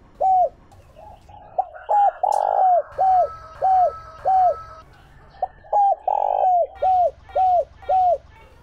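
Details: Spotted dove used as a decoy for luring wild birds: long series of short drooping coos at a steady pace, occasional drawn-out buzzy coos, over low background rumble and a faint steady tone.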